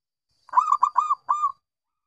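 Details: Zebra dove of local stock, called bungkak/gacor, sings a single rolling phrase of three short coos followed by a longer, sustained last note, clear and close.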